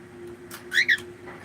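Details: Pet cockatiel giving a brief, bright double chirp, two quick harmonic notes close together, against a quiet indoor room with a faint low hum.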